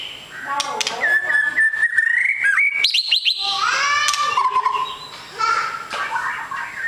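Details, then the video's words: Fighter-type white-rumped shama with a long tail delivering sustained whistled notes, sharp clicking rattles and rising and falling melodic slurs in one continuous varied phrase. "MURAI BATU EKOR PANJANG SUPER FIGHTER"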